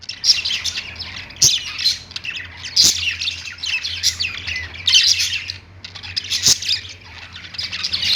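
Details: Pet budgerigars singing on a perch: a dense, continuous high chattering warble of squeaky notes and trills, with sharp clicks and a low steady hum underneath.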